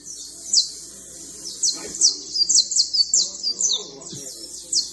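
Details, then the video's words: Creole fine canary trilling: a fast, thin, high trill of downward-slurred notes, quieter at first then building into a dense run of sharp chirps, with soft low rumbles beneath. "Canario fino trinando"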